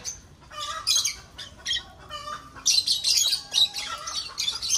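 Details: Aviary of breeding lovebirds giving dense, shrill screeching calls, scattered harsh notes first, then an almost continuous overlapping burst of high squawks from several birds in the second half.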